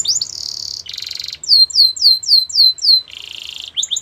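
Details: Canary training song: a high rolling trill, a harsh buzzy burst, six clear downslurred whistles spaced about a quarter second apart, then another rolled trill.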